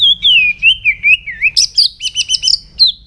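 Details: Morning voice-training song of a White-rumped shama: a long wavering descending whistle, then a fast run of bright, looping high notes repeated about five times in quick succession.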